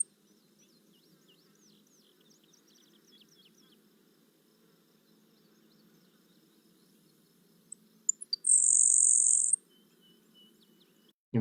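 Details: Grasshopper Sparrow, a small bird perched on posts in summer at Kankakee Sands, Newton County, Indiana: a couple of thin, high ticks ('kip'), then a dry, insect-like buzz about a second long; faint chirps from another bird earlier over low hum.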